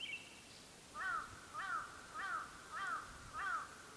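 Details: Latham's snipe on its breeding grounds in the Senjogahara marsh, Oku-Nikko, Japan, recorded 9 May 2020 while hidden in the wetland; a thin high note opens, then five harsh, falling rasping notes repeat roughly every 0.6 seconds.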